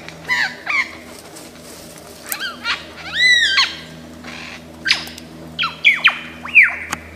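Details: Lyrebird, a bird of Australian forests known for mimicking sounds, singing a varied run of loud whistled notes: slurred upsweeps, arched harmonic phrases and sharp descending chirps in bursts, over a faint steady low hum.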